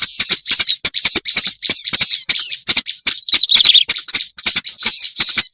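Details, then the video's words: Black-browed reed warbler on a lure recording: a dense run of harsh, scratchy, chattering notes around a high, fairly steady pitch, broken by sharp clicking ticks, with a brief lower, warbling passage midway. "Suara pikat burung kerak basi alis hitam"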